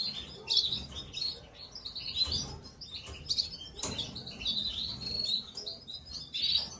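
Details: Nestling Gloster canaries begging while being fed: a continuous chatter of high, sharp chirps in clustered bursts, loudest around the middle and final second, with soft low rumbles underneath.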